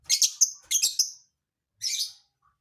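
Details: Lovebird singing an unusual song filling: loud, shrill, high chirp bursts, two quick clustered phrases then a pause and a single buzzy burst, with no other sounds.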